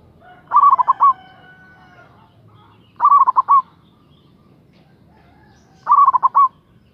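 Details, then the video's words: Local zebra dove, a lure bird heard emotionally calling out a rival: three loud bursts of rapid, bubbling, trilled coos, each about half a second long, spaced roughly two and a half seconds apart, with faint background hum. "Suara Perkutut Lokal GACOR Suara Besar Ampuh memanggil LAWAN Emosi Manggung"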